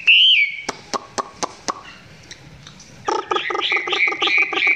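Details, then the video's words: Chinese hwamei filmed at close range, song not yet full: a short clear whistle, then several sharp clicks, then a fast series of repeated curling whistled notes with broad harsh edges. "Quay gần em mi hót chưa căng lắm nhưng tạm chơi được"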